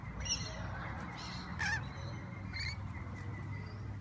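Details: Wild rainbow lorikeets in Sydney give three brief, harsh, screechy calls over about four seconds, over a steady low rumble of background noise.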